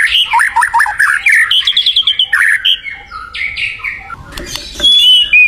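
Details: White-rumped shama singing actively in the wild: a dense burst of quick warbled and chattering notes, then scattered harsher calls and brief pauses, ending with a clear high whistle.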